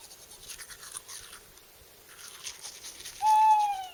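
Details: On an island lake, Skarvann in Aust-Agder, Norway, in late April, a tawny owl starts hooting at nightfall. It gives one clear, drawn-out hoot that holds steady, then sags slightly at the end, after a few seconds of quiet evening hiss.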